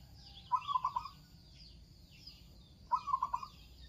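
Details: Zebra dove of local stock in full voice, two rapid bubbling phrases of about five soft cooing notes each, spaced some 2.4 seconds apart, with thin high chirping from other small birds in the background.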